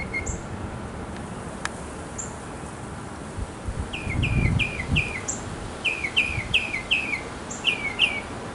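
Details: Backyard mockingbird, a male singing to attract a female: groups of repeated downslurred notes, three or four per phrase, with scattered high thin notes above and a low rumble of background noise.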